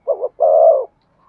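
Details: Spotted dove cooing to stimulate a decoy bird to sing: a low wavering double note, then a longer steady coo, with a faint higher tone starting at the end.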